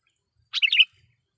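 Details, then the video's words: Loud sooty-headed bulbul phrase used as a lure to rouse wild bulbuls: a brief, rich, gurgling burst of linked notes, rising then dipping, lasting about a third of a second, followed by quiet. "suara pikat KUTILANG GACOR /kutilang suara keras,membuat kutilang liar EMOSI"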